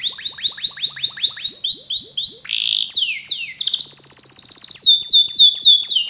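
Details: Atlantic canary singing, played to young canaries so they learn to sing: a series of repeated descending whistled chirps, a brief buzzy burst, then a fast, bright, rapidly pulsing trill and more swooping notes.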